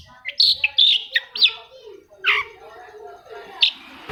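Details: Long-tailed shrike song meant to get a reluctant, quiet shrike singing again; bright chirps and a quick whistled phrase, then a drawn-out pause before one last sharp note.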